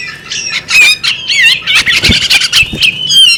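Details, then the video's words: A female bearded magpie robin gives loud, buzzy squawks and warbled, wavering whistles in quick succession, with a sharp knock partway through. "the alluring sound of a female bearded magpie robin"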